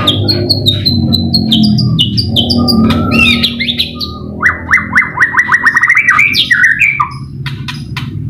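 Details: Murai batu, the White-rumped shama, singing in a training recording meant to lure and provoke singing: varied whistles and warbled phrases lead into a fast series of rising notes, about three per second, with a constant low droning background.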